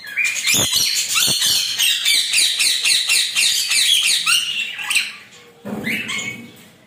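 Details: A showering rainbow lorikeet gives a fast run of shrill, buzzy screeches, nearly four a second, for about five seconds. It then pauses and ends with a few softer squawks.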